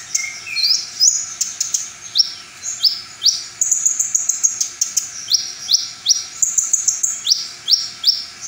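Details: Brown-throated sunbird singing its 'full materi' repertoire: a string of sharp rising upslurred notes repeated about every half second, broken by a fast buzzy trill and high twittering chips.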